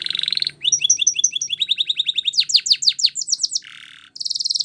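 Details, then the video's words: Spanish Timbrado canary song used for training: a rapid series of tours, from dense trills and repeated bright upsweeping notes to fast downslurred chips and a lower buzzy rattle, with a brief pause before a final high trill. "Canary Singing CHAMPION For Training | Spanish Timbrado Song"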